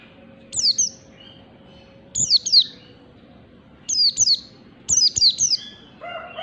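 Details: Oriental white-eye, wild forest type, as a lure sound: bursts of two or three bright, steeply falling chirps every second or so, ending with a lower, wavering harmonic sound.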